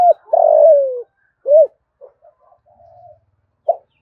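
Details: Spotted dove call used to stir up rival doves: one long, vibrating coo that slides gently downward, followed by a short hooked note and scattered soft murmurs, ending with a brief clipped note.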